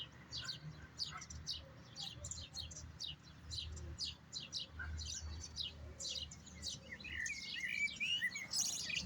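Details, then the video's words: European goldfinch in a singing session: rapid, tinkling twitter of short high notes, with bursts of sharp chips and buzzy flourishes tumbling over one another, and a faint low hum underneath. "جلسة تغريد رفقة الطائر الملق بالجحمومية"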